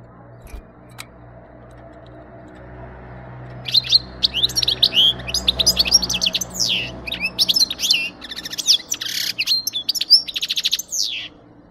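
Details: European goldfinch song for luring birds into capture: a long, rapid stream of tinkling twitters, slurred notes and buzzy trills starting after a few seconds of low background hum and clicks.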